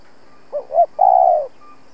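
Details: Spotted dove kept as a trapping decoy, calling to challenge rival males; two quick rising coos then a long, steady, purring coo.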